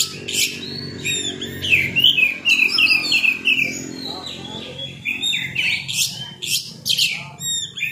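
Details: Oriental magpie-robin (Copsychus saularis) song used as a lure to provoke quick responses: a varied run of loud whistles, chirps and harsh notes, several phrases per second, over a faint low hum.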